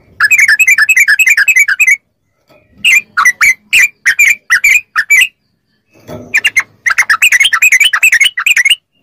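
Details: Yellow-vented bulbul singing for a captive-bird training track: a fast trilling burst, a pause with a soft low thump, a series of separate bright chirps, then another quick rolling burst.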